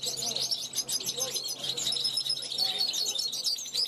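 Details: European goldfinch from 2021 calling toward wild goldfinches passing its balcony; busy high twitter and chirps fill the clip, with a few softer lower notes underneath.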